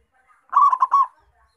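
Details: Zebra dove, local perkutut, recorded to lure wild doves: one brief, rapid phrase of four rolling coo notes, the last note slightly longer.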